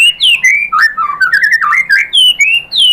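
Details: White-rumped shama song played to provoke another bird into singing: loud, varied whistled phrases sliding between high and low notes, with sharp upward and downward sweeps and brief pauses between bursts.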